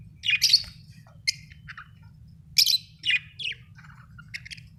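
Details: Budgie, described as a beautiful Australian bird, giving scattered short high chirps and brief squeaky notes in loose bursts, separated by quiet gaps, over a steady low hum.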